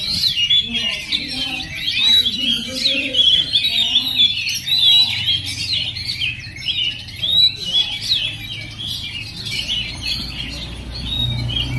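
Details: Oriental magpie-robin, a young male, singing a rich varied song of quick whistles, chirps and warbled phrases in a continuous flow, with faint low murmuring underneath.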